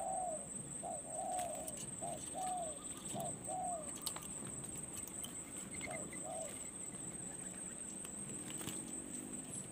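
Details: Spotted dove during a decoy-luring session at a perch, giving a quick series of mellow, low coos in the first half, fading away later, over a continuous high insect hum and faint rustle.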